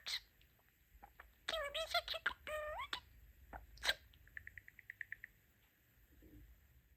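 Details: Talking pet budgerigar, a male known for the phrases "Super!" and "Sweetie-pie!": a burst of warbled, rising-falling chatter and clicks, then a run of about ten quick, evenly spaced high chirps fading out.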